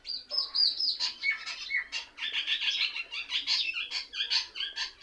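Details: A tree full of mynas, said to imitate other birds and seem to laugh at one another; an unbroken, busy chorus of scratchy chirps and short whistles, pulsing quickly throughout.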